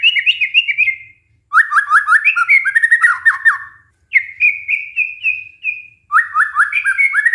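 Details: Lure song of a white-rumped shama, meant to get a stressed shama singing again. Continuous phrases of rapid chopped notes, upslurred clear whistles and stuttering trills, with only brief pauses between them.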